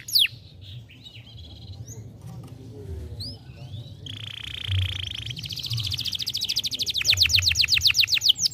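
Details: Young canary song for stimulation: scattered soft chirps and short whistles, then a steady buzzing trill that turns into a fast, loudening rattle of repeated high notes.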